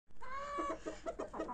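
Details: Pure desi Kashmiri chicken pair in red jungle fowl colour, from Kashmir: a drawn-out, nasal, harmonic call followed by a quick series of short, throaty clucks.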